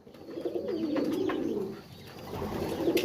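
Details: Soft, low burbling coos from pigeons swell for about a second and a half, fade briefly, then resume, with a few faint higher squeaks.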